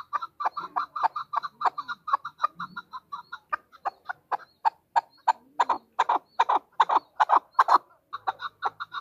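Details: Female chukar partridge calling: a fast, steady series of dry clucking chuk notes, about two or three per second, running without a break, with faint background rustle.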